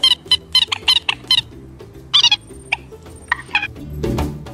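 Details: A common moorhen, one of six released together with white-breasted waterhens, gives harsh, squawky calls: a quick run of about six sharp bursts, then a few scattered croaking notes, over soft background music.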